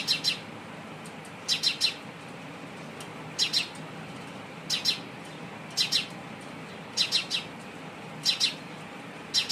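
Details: Repeated sparrow chirping: short groups of two or three sharp, high, slightly harsh notes every second or two, fairly steady, against quiet low-pitched background noise.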